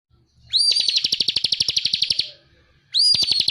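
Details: Bar-winged prinia (ciblek) masteran song, a lively full-emotion 'ngebren' style: a rising whistled upsweep opens each burst, then a fast, loud, buzzy trill of even notes about four per second, two bursts separated by a short pause.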